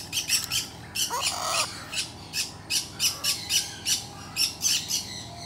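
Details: A yellow-backed chattering lory gives a fast run of harsh, grating squawks, about two each second, with a brief lower squeak early on.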